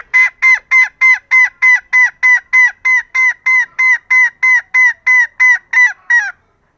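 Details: Calling female green junglefowl, a call said to draw in reluctant males. Loud, evenly spaced nasal honking notes repeat about three times per second for over six seconds, each note clipped and slightly downcurved, with no other sounds.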